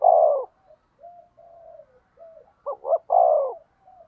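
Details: Spotted dove used as a decoy against rivals: a long hoarse coo, a stretch of soft, low murmured coos, then two quick notes and another long husky coo.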